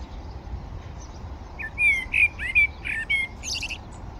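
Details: Common blackbird on the Manzanares riverbank in Madrid, 17 February 2023, during a morning feed. A short burst of warbled whistles, with slurred notes and sharp high squeaky twitters, follows a quiet start over a low steady background rumble.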